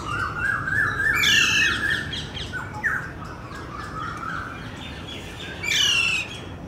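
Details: Alexandrine parakeet in Kolkata, India: a series of harsh, grating squawks with rich harmonics. Several loud screeches come early, then softer rasping notes, and a final strident squawk near the end.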